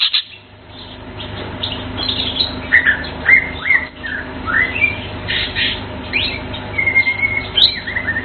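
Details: Blue cucak keling singing with clear whistled notes and short slurred phrases, some rising and some dropping, spaced by brief pauses over a quiet low hum.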